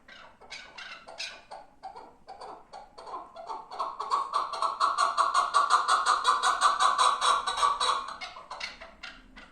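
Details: Chukar partridge from the Pamirs: a rhythmic series of clucking chuk notes that speed up and grow louder into a fast, steady chattering run near the middle, then fade to a few scattered notes.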